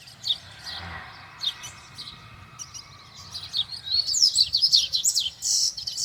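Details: Wild double-collared seedeater song: scattered high chirps at first, then a quick, jumbled run of very high trilled and warbled notes.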